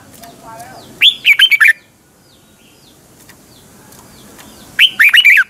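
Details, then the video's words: Red-whiskered bulbul used as a decoy voice for training caged birds, double twisting style morning song: two bright, choppy phrases of five or six slurred whistles about four seconds apart, with thin high chirps of other birds faint between them. "Luyện chào mào hót sáng, hót hay - Giọng kép xoắn tít, kích chim căng, luyện chào mào hót"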